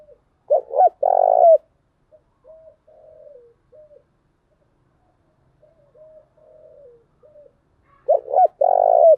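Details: Spotted dove female lure calling other doves: a loud phrase of two short hoots and a long throbbing coo, then soft, distant, faint coos, then the loud phrase again near the end.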